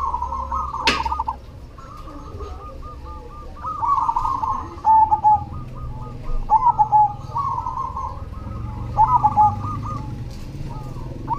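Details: Zebra dove of the cemani type singing actively: a sharp click near the start, then a long stretch of fast stuttered cooing with repeated louder clipped phrases, other doves cooing faintly throughout over a low hum.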